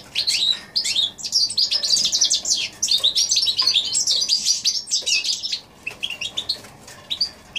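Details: Goldfinch x canary hybrid, January 2016, delivering a rapid high twittering song with fast chirps and trill runs for about five seconds, then a few spaced notes.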